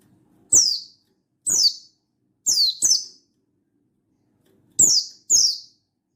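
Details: Wild-style Buxtoni pleci (mountain white-eye) calling out to a rival, giving six crisp, high notes that slide downward, mostly in pairs, with a silent gap in the middle.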